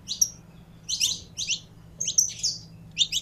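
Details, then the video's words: Saffron finch being warmed up, singing short bursts of buzzy, high chirped notes in quick pairs, regularly spaced across three seconds. "Canário da Terra Esquentando em 3 2 1!!!"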